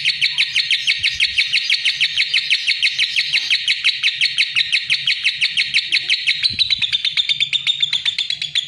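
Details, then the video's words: Lovebird song: a fast, even series of high, clipped chirps, smoothing into a more whistled, drawn-out tone in the final seconds. "Suara Kicau Burung LOVEBIRD"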